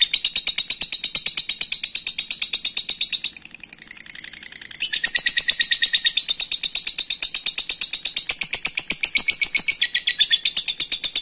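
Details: Lovebird delivering a long ngekek chatter to call a rival: a sustained rapid, shrill rattle, briefly softening and breaking up near the middle, then resuming loud and continuous to the end.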